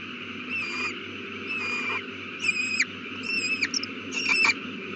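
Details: At a nest holding a newly hatched chick, an owl calls on an April 2019 evening: five short, hoarse, tonal notes about once a second, later ones louder and more ragged, over constant low hum.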